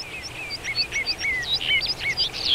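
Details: Common rock thrush (Monticola saxatilis) singing in Shahdag National Park, Azerbaijan: a rapid, varied warble of short whistled and slurred notes, rising and falling without pause, over faint background hiss.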